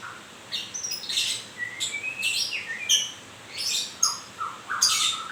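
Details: White-rumped shama during its moult, singing steady series of short high chirps and buzzy bursts with occasional lower clear whistled slurs, phrases closely spaced.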